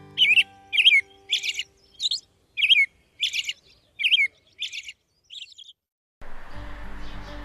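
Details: American robin singing a run of short, clear caroling phrases, about two per second, then a burst of broad rustling noise; robins sing often all day from early morning to stake out territory and attract a mate; Catskills, upstate New York.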